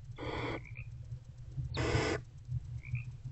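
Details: Nest-box barn owls, a mother and her older owlet, before dawn on 20 February 2024; two hoarse hissing bursts, each roughly half a second long, over steady low hum.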